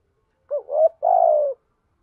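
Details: Spotted dove kept as a lure bird, cooing to draw in other doves: a short two-part lead-in followed by one longer, steady, low coo lasting about half a second, in otherwise quiet surroundings.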